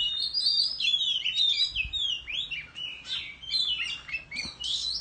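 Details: An Oriental magpie-robin in the countryside, singing while fanning its tail in a fighting-song display: a rich, varied run of clear whistles and sweeping slurred phrases, high-pitched and almost continuous, with faint background hiss.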